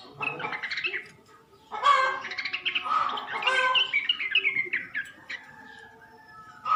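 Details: Sooty-headed bulbul lure call, used to draw a male into answering: bursts of bright, chattering, slurred notes with a brief quiet gap early on, then a busy run of rising and falling phrases and a final loud note.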